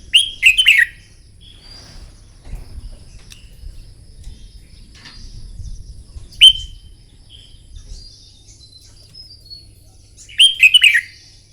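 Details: Red-whiskered bulbul trained for morning song contests, repeating a brisk warbled whistled phrase three times at roughly five-second intervals, with a single short clear note between, faint high tones and low rumble behind.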